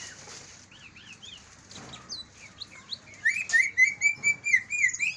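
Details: Greater green leafbird, Kalimantan versus Banyuwangi type, singing as a stimulant for sluggish leafbirds: scattered soft whistled slurs at first, then loud, rhythmic bursts of ringing whistles and chatter repeated about twice a second.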